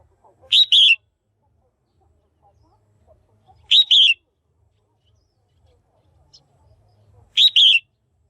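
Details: Female red-whiskered bulbul calling to stimulate males or for pairing: three loud, bright two-part chirped phrases, the second note slurring downward, spaced about three and a half seconds apart in a quiet setting.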